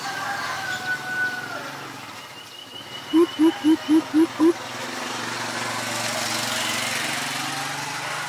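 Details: Recorded on a Nikon P1000 in Ubon Ratchathani, Thailand, in April 2022, a greater coucal gives a run of six deep, evenly spaced hollow hoots midway, over a steady background hum and faint distant birds.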